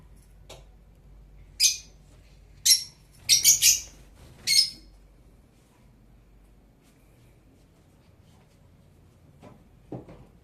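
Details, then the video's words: Blue-colored Fischer's lovebird giving sharp, piercing chirps, first singly, then a quick cluster of four harsh notes, followed by quiet with a couple of faint clicks near the end. "Lovebird Parrots Chirping Sound (Blue Fischer)"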